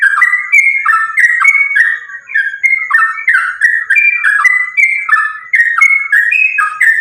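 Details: Fighting song of a lively sooty-headed bulbul, meant as a lure to get bulbuls calling: seven seconds of continuous chattering whistles, short phrases dipping and rising, packed closely one after another.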